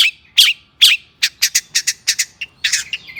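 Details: Agitated long-tailed shrike singing as a lure for other shrikes: two loud squeaky notes, then a quick run of clipped harsh chips and a buzzy trailing phrase.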